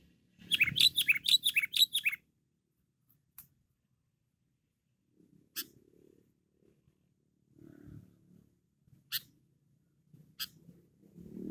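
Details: Loud, tirelessly chattering sooty-headed bulbul delivers a rapid series of about seven bubbly, downslurred notes, then falls silent, leaving scattered clicks and soft low thumps.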